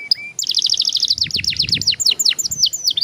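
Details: Young canary in long rolling song: after two short chirps comes a quick, steady string of bright repeated notes that gradually slows into wider downward slurs. Used to coax other young canaries to sing.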